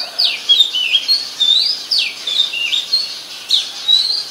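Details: Oriental magpie-robin, a very common resident bird of Ubon Ratchathani, Thailand, singing on 14 October 2021: quick, loud whistled notes with sharp downward and upward slurs, delivered continuously in short phrases. Recorded on a Nikon P1000.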